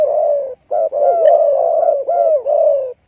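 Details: Spotted dove cooing steadily for three seconds: low, mellow notes that swoop downward and then upward, with only one short gap, forming a nearly unbroken rolling phrase.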